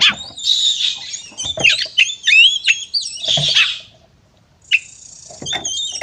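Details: Fighting song of an oriental magpie-robin, used to provoke rivals: loud, busy whistled warbling with rising slurs and harsh bursts, a brief silence, then a sustained high whistle with a few chips.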